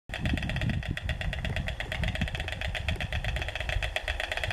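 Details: A nesting pair of white storks atop a column at the Roman ruin of Volubilis, Morocco, clatter their bills in a fast, dry, wooden rattle that runs steadily throughout, over a heavy low rumble of wind.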